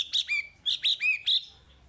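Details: Chinese hwamei singing, a lure for teaching young caged birds: three short phrases, each a bright whistle dropping to a lower, sustained note.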